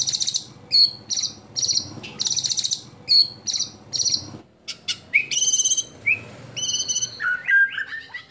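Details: White-rumped shama competition song with 'isian' mimicry: dense buzzy high bursts and downslurred whistles, followed by varied rising and falling whistled notes and a short jumbled twittering run.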